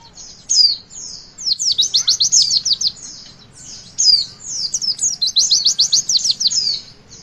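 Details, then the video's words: Song of the Javan white-eye, meant to prompt young birds into singing: two long bouts of very fast, high, descending chirped notes in rapid trills, with a steady low hum behind. "Pleci Bakalan Ikutan WITWIT ga pake lama Bikin Gacor!!!"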